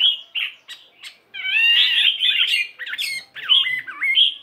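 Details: Chinese hwamei, fighting type weighing 72 grams, in morning singing practice: a few short notes, then a loud, rough, wavering run of twisting whistled phrases.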